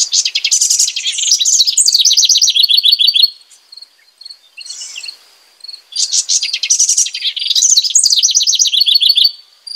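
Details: Two long house wren songs separated by a quiet gap, each a loud burst of rapid trills and bubbling, chattering notes, with faint high pulsing behind.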